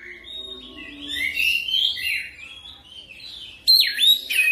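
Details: Oriental magpie-robin lure song intended to get a bird singing quickly and nonstop: soft gliding warbled whistles building up, then a sudden loud sharp swooping whistle and trilled notes at the end.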